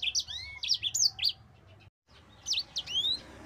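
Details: Bright Mozambique canary song for training other birds, short clusters of high looping notes and a long rising whistle, interrupted by a brief silent cut.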